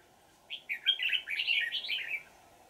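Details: Red-whiskered bulbul, wild old forest bird with a ringing, twisting voice, decoy trapping on 20 December 2018: one rich, rapid warbled phrase of bubbling slurred notes lasting nearly two seconds, low hum behind.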